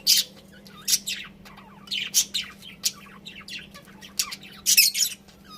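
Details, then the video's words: Pet budgerigars chirping: quick high tweets and rasping squawks in uneven clusters, some notes bending down, with a soft background hum. "Cute Budgies Chirping Sounds"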